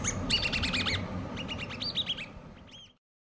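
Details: Several hand-reared common babbler chicks chirping in quick repeated series, about four notes a second, thin squeaky and slightly falling, fading out before a final short burst and silence.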